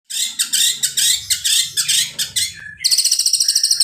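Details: White-rumped shama singing its sharp cililin-style song material: dense bursts of harsh, high chattering notes about every quarter second, then a fast, even run of clipped high chips to the end.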